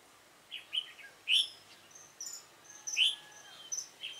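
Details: Red-whiskered bulbul with a dark bib, recorded during bird trapping on 28 February 2017: bright, short chirping and whistled notes in scattered bursts, with a louder rising phrase near the middle and thin high notes between.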